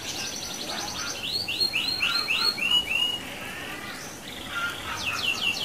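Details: Rolling canary song meant to provoke other canaries: a quick high trill, then a series of repeated descending slurred notes about five per second, a lower warble and a closing run of rapid sweeps, somewhat faint against background hiss.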